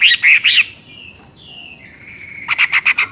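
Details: Chinese hwamei singing in the busy ngoceh style: three loud whistled notes, then a long, gently falling whistle, then a rapid string of short, sharp repeated notes.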